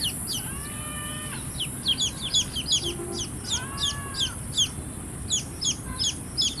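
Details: A group of baby chicks chirps with clustered, high, falling peeps in quick runs, plus occasional drawn-out level whistles and a faint low murmur against a steady hiss.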